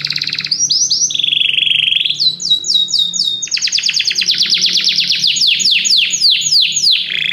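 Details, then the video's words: Canaries singing in chorus after hearing music deliver dense song: a wavering trill, a row of crisp repeated notes, then a long rhythmic series of sweeping downslurred notes, about four per second. "muitos canários cantam junto depois de ouvir essa música"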